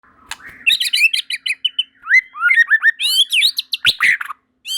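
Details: White-rumped shama, a bird of Sumatra, the Malay Peninsula and Java, singing as other shamas quickly join in; rapid varied phrases of clear whistles, chirps and upslurred notes pour out in dense bursts.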